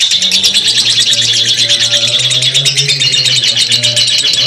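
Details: Long ngekek chatter from a lovebird: an unbroken stream of fast, shrill, buzzy twitters held at an even loudness, over a faint low drone.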